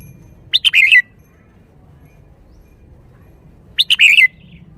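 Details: Caged red-whiskered bulbul showing the 'shaking bottle' singing style, two bright phrases spaced about three seconds apart, each quick clipped chirps followed by a rolling warbled tail, quiet hum underneath.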